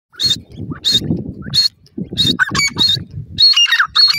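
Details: Grey francolin, male and female, calling: harsh squawking bursts for the first half, then a run of sharper, ringing, downslurred notes in quick succession, with low rumbling background noise throughout.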